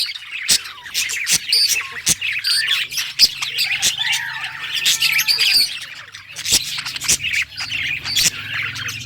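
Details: Pet budgerigar singing happily: a continuous high, chattering warble of rapid chirps and squeaks, broken by sharp clicks and a soft low hum in the background.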